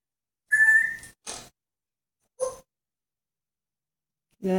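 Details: A pet African grey parrot mimics other animals, possibly a monkey and a dog: a clear, steady whistle, then two short rasping bursts and a low voiced note, with gaps of silence between the sounds.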